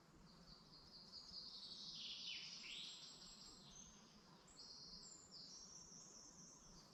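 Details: Wild birds singing on a morning in a forest of the Dublin Mountains, Ireland: high, thin whistled phrases and sliding notes, with a few falling sweeps, heard over a steady hiss of background noise.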